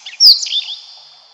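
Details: Brief redstart phrase: one sharp high whistled note slurring down, followed by a couple of quick buzzy twitters that fade away.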